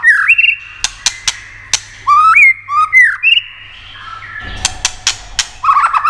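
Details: White-rumped shama song played to excite other shamas: clear whistles and slurred rising notes broken by sharp clicks, with a rough noisy patch near the end.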